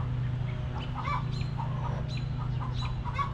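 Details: Hens clucking in a backyard coop, relaxing: quick, rapid clucks, roughly three per second and irregular, over a persistent low hum.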